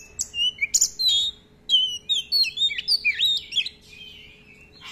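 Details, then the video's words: Oriental magpie-robin in full song, long rolling phrases packed with varied filler notes used to tutor other kept birds; rapid bright whistles and slurred chirps in quick bursts, rising and falling, over a faint constant hum. "Pancingan Kacer Gacor ROLL Panjang-Panjang, Dan Lagu Isian Banyak"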